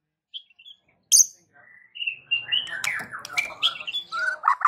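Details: White-rumped shama song used to get other shamas to reply: high whistled notes and a sharp burst, then a long varied phrase of slurred whistles and chatter over faint low background noise.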